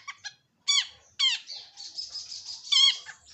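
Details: Long-tailed shrike giving a few short chips, then harsh downslurred notes running into a thin, wavering high trill and another rasping downward note.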